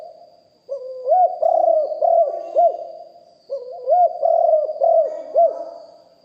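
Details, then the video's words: Deep-voiced spotted dove decoy bird, recorded live, singing two similar phrases about three seconds apart. Each is a short rising lead-in followed by three or four arched, hooting coos. A faint steady high tone sounds throughout. "นกเขาใหญ่คับ birds - Ep 1 เสียงต่อนกหลิ่วห้อย เสียงใหญ่#2 & 4กุกห้อยเสียงใหญ่ บันทึกเสียงสด"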